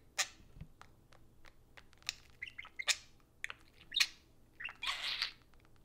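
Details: Two pet parakeets during budgie play time around a phone give scattered chirps and a raspy burst of chatter near the end, over low room hum.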